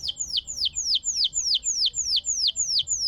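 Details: Canary song meant to trigger stalled canaries into singing: steady repeated downslurred whistled notes about three per second, bright and high-pitched, over faint low background noise.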